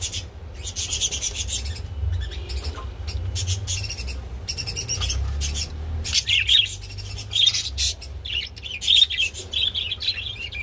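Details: Mating budgerigars: a dense scratchy chatter at first, then clearer high chirped phrases repeated about once a second in the second half, with a low electrical-sounding hum underneath.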